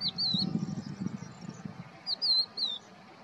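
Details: Crested lark at Israel's Poleg swamp on 7 April 2022 gives two short phrases of bright, wavering whistles, each a few rising-and-falling notes, separated by a pause filled with low rumbling noise.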